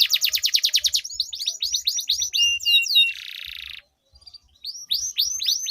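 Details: Canaries duelling in a rolling song meant to prompt quiet canaries to sing: rapid repeated downslurred notes, a buzzy rattle, a brief silence, then fresh swooping notes.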